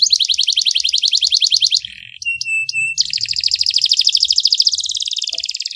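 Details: Canary tutor song in the 'tembakan pedes, cengkok mewah' style. It has rapid high rolling trills, broken briefly by a lower buzzy segment and a steady pure whistled tone, then the quick trill resumes until the end.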